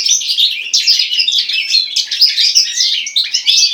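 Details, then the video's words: Hybrid goldfinch × common linnet song, lively and unbroken: high, tinkling twitters and quick chirped notes tumble over one another, punctuated by short rising whistles. "HIBRID (carduelis carduelis x carduelis cannabina)"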